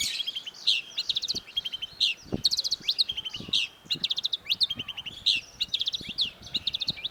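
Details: Long-tailed shrike (cendet) pouring out a dense, fast stream of chattering, trilled and whistled notes with barely a pause, busy and scratchy throughout.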